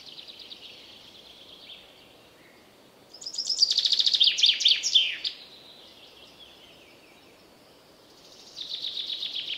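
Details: Wild common chaffinch: a loud, complete song phrase of quick, high, repeated notes ending with a falling flourish, with fainter song fragments before and after, over soft steady background noise.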